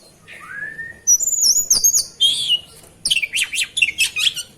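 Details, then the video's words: Oriental magpie-robin singing while being bathed: a rising slurred whistle, then high sweet warbled phrases, followed by a burst of quick, sharp up-and-down notes with short pauses between phrases. "Kacer, Proses pemandian kacer kicau"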